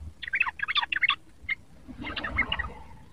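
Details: Soft babbling of a young sooty-headed bulbul learning to sing: dense clusters of quick chirps, a lone note, then a softer jumbled twitter against low background noise.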